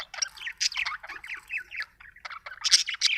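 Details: Pet budgerigar chirping: rapid, busy bursts of high scratchy chirps and warbled notes, tightly packed with brief gaps, ending in sharper bright squeaks.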